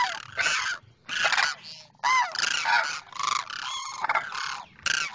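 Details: A pair of demoiselle cranes, male calling toward the female on the other side: loud, grating, honking calls in quick bursts, each about half a second, with short pauses between.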